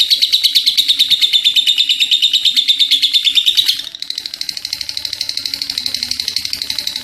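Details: Energetic lovebird producing an extended ngekek chatter, rapid buzzy high pulses loud for nearly four seconds, then a short break and a quieter continuing run of the same pulses.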